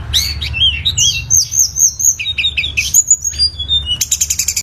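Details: Tledekan gunung singing: a high, clear, whistled warbling of quick rising and falling phrases, with a burst of fast repeated chips near the end and a low hum underneath.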